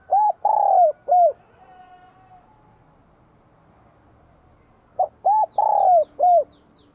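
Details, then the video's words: Spotted dove in Vietnam, bell-voiced song in spring 2023: short bursts of clipped coos and a longer falling coo, a pause of several seconds, then another burst, with faint high chirps from another bird. "CHIM CU GÁY GIỌNG CHUÔNG KÍCH BỔI CỰC SUNG CHÀO XUÂN NĂM 2023"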